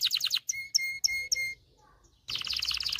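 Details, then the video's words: Canary song used for training males to sing and stimulating females to breed: a quick chattering trill, four clear ringing notes with steady whistled tails, a near-silent gap, then another bright rapid trill. "غناء طائر كناري لتدريب والتسميع ذكور الكناري على الغناء Canary singing"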